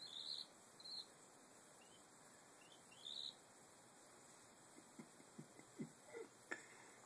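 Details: A young hand-raised Eastern phoebe "complains bitterly" after a long day exploring outside, giving three short, harsh, scratchy high notes over a steady insect drone, followed by scattered taps and knocks. He was growing independent and avoiding contact.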